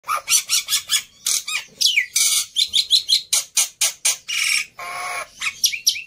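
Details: Black-winged myna, a fighter bird in an over-excited state, kept as a tutor for silent mynas: rapid harsh chattering bursts with sharp downslurred whistles and a longer raspy screech, packed closely together.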